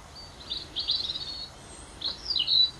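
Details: Long-tailed tit (Aegithalos caudatus) giving thin, high, buzzy trills in two short bursts, with a soft background hiss.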